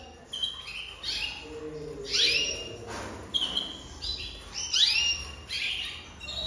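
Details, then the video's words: Jaspe canary song in loose phrases: bright whistled notes and downward-sweeping slurred calls, separated by short pauses, with faint background hiss. "Chant Canari Jaspe"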